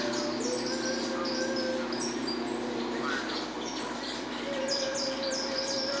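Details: Saffron finch from Peru, known locally as canário terra, delivering rapid high chirping notes in quick succession, with faint softer chirps and a constant low background hum throughout.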